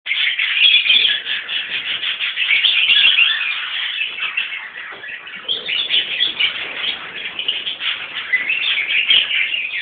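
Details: Captive lovebird colony of Peach-faced and Fischer's Lovebirds, parents and young together: dense, continuous high shrill chattering and squeaky chirps from many birds overlapping, with no pauses.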